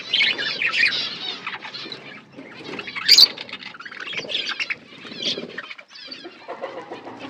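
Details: Budgerigars chirping in an aviary within a forest setting; scattered squeaky chirps and warbled phrases come in uneven bursts with brief quieter gaps, one sharp squeal standing out near three seconds.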